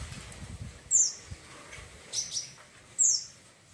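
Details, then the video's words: Wiceh bird chatter for training other birds: three short, very high, sharply descending chirps spaced about a second apart over faint background noise. "CRECETAN BURUNG WICEH GACOR"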